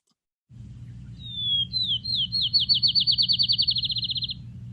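Field sparrow song: a clear, high whistled opening, then about twenty sweet notes that speed up into a bouncing-ball trill, over a low steady hum.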